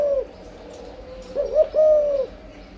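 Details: Spotted dove during breeding with an âm lối coo: a fading low note, a pause, then quick wavering notes leading into one long, smooth, gently falling coo.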